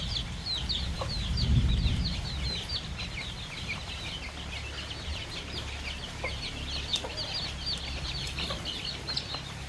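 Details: Farm flock of baby chicks and young chickens feeding together on fresh termites in the countryside; a steady stream of rapid, high-pitched overlapping peeps, roughly several per second, with a low rumble and occasional light knocks beneath.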